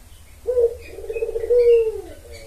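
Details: Single spotted dove coo from a lure recording to attract males: a low, hollow note held for about one and a half seconds, swelling then fading downward, faint high chirps behind.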